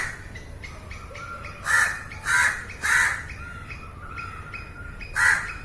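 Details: Crow recorded on location, quiet thin whistles from other birds at first, then three rough caws in quick succession and one more after a gap.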